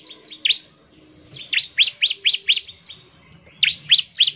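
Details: Energetic bar-winged prinia singing to lure other prinias to sing. Scattered sharp, upward-sweeping chirps form a fast run of five notes, then a pause, then three more, with a soft low rumble in the background.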